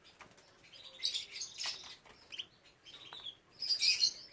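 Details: Canaries kept for breeding, with young birds present, produce scattered high twittering chirps in uneven bursts, ending in a louder dense chattering phrase, with faint fluttering in the background.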